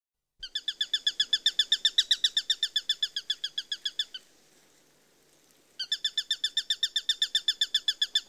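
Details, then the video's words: Eurasian sparrowhawk giving a rapid series of sharp, harsh kek notes, about four per second, in a steady run, then a pause of over a second, then the same chattering series again. No other sounds. "Sparrowhawk Bird Call"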